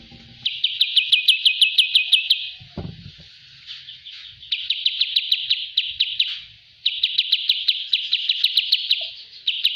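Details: Bulbul singing for a training recording, three bursts of fast, evenly repeated high chirps, each burst lasting about two seconds and separated by quieter pauses, with a faint low knock between the first two bursts.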